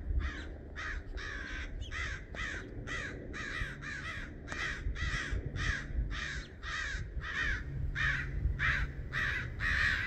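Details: Crows dive-bombing a red-shouldered hawk until she leaves: a long, steady run of harsh, hoarse caws, about sixteen in ten seconds, evenly spaced and fairly loud, over a low rumbling background.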